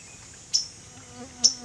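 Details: Waterthrush on a branch above the recordist on 30 July: two crisp, very high chips about a second apart, with faint murmuring background sounds between them.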